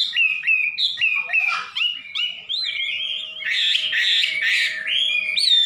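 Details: Wambi, a songbird popular with Indonesian songbird keepers since the 1990s and known for its very loud voice: a continuous stream of loud, varied whistled phrases, sliding up and down and sometimes warbling.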